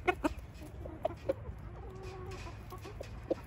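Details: In Switzerland a rooster leads hens to food: a few short, loud clucks in quick succession open the moment, a softer drawn note follows mid-way, and a single sharp cluck closes it over low rumbling noise.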